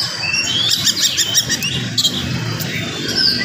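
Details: Oriental magpie-robin in morning song, fast and tightly packed to provoke other magpie-robins; quick bursts of chirps and a long thin whistle near the end, with faint background conversation.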